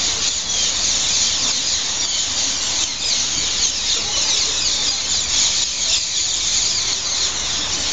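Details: Massed green parrot-like birds, hundreds strong, settling to roost at dusk on station-forecourt trees in Heidelberg; a constant shrill clamour of overlapping squawks and screeches, loud and even from start to end.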